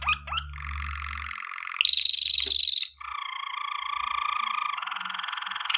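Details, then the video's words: Waterslager (Malinois) canary singing, a song for training: continuous rolling, bubbling water-like tours at mid pitch, then about a second of a brighter, rapid high trill, falling back into a low gurgling roll; faint low hum underneath. "Legendary Waterslager Canary Singing For Training - وتر سلاجر"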